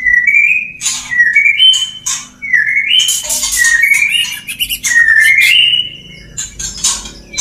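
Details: Male white-rumped shama courting a female: loud rising whistled notes in a varied chain, broken by harsh scratchy bursts, fading to softer whistles at the end.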